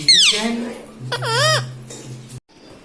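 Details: Pet parrot imitating speech such as mummy and papa: two nasal, wavering word-like sounds, the first falling, the second dipping and rising, over a steady low indoor hum.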